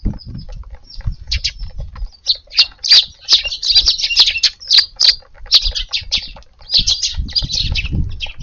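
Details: A busy flock of sparrows feeding noisily in a garden in the evening, a dense run of sharp repeated chirps overlapping almost continuously, with low thumps and rustling at the start and end.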